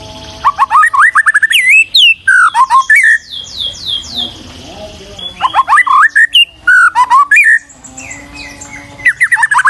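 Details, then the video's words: White-rumped shama in full song: loud, varied whistled phrases, rising and falling slurs and quick trills, each burst followed by brief quieter gaps, in a long varied sequence. "Masteran Burung Murai Batu"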